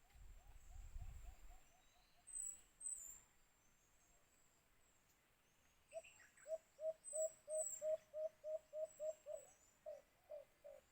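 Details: White-eared brown dove (Phapitreron leucotis), used with a cage trap for bird hunting, gives a run of about a dozen low, hollow hoots, roughly three per second, over a constant high insect whine and an early handling thump.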